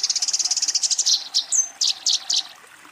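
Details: Eurasian tree sparrow in fighting mode, calling a rival: a fast run of about sixteen sharp, high chirps, then a thin whistled slur and a few spaced, louder chirp bursts, fading toward the end.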